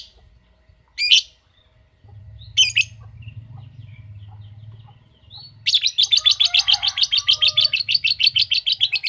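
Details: Lovebird answering a calling recording: two short sharp chirps, a pause with low hum, then a fast, high, chattering 'ngekek' trill of rapid repeated notes to the end.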